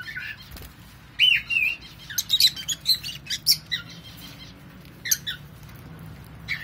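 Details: Lovebird chick, 42 days old, being fed by the male: a series of short, scratchy, high chirps in quick clusters, rising and falling, with soft rustling between bursts.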